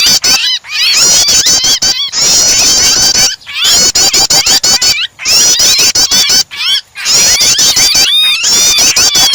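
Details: Prinia calls paired with a distressed, trapped bird as a singing starter for other birds: sustained shrill chattering, rising slurred notes and dense clicking, interrupted by several brief silences.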